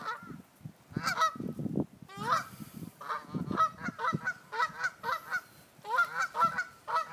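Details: Geese on Sand Island honking at a person: a steady series of loud, nasal, trumpeting honks, roughly two per second in the second half, with quieter broadband background rumble between calls.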